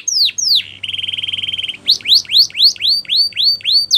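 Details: Canary training song: two loud sweeping whistles, an evenly pulsed buzzy roll, then a quick series of bright looping whistles that rise and fall about four times per second.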